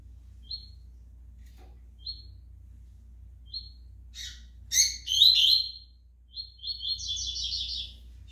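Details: Double-collared seedeater in brown plumage: single high chip notes spaced more than a second apart, then a loud, scratchy burst of notes followed by a fast, buzzy twittering phrase, over a steady low hum.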